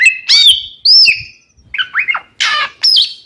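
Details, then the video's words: Oriental magpie-robin pair singing to draw answers from rival birds. Separate phrases mix a clean whistle, down-slurred notes and a harsh scratchy burst, with short gaps between them. "SUARA BURUNG KACER KEMBAR, bikin lawan EMOSI ikutan nyaut"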